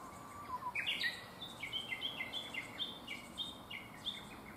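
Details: Japanese tit after fledging from a nest box: a lower whistled note, then a string of clear two-part high notes stepping down, repeated about every third of a second, with quiet background.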